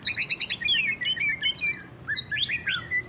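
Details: Greater green leafbird giving ngentrok song to provoke other leafbirds into singing: quick stuttering twittered notes and short slurred whistles in a brisk, bright sequence.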